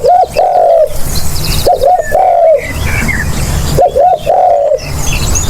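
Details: Spotted dove calling, a recording meant for luring birds: three low cooing phrases, each two short hooked notes then a longer drawn-out coo, about two seconds apart, with faint chirps of other small birds behind.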